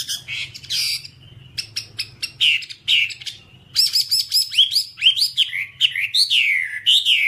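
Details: Whambie singing for training other birds: scratchy chatter and buzzy notes giving way to rapid swooping whistles and sharp clicks, a varied tumbling song with steady low hum.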